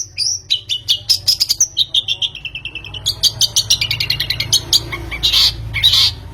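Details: Long-tailed shrike sound played as a lure to make birds sing. A varied run of rapid high chirps slides into a falling series of whistled notes, then quick clicking chatter and a few harsh bursts, over low background hum.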